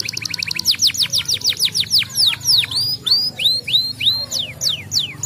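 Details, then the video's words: Canary song for stimulating other canaries: a quick buzzy trill leads into strong falling whistles, followed by rising slurred notes spaced about half a second apart. "o mito do canário amarelo cantando para estimular o som dos ingredientes das aves"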